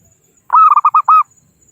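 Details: Local zebra dove calling to rivals, a recording used as a trapping lure: one clear cooing phrase of about five rounded notes, a longer first note then quick, evenly spaced pulses ending on a held note, with a faint high hiss behind.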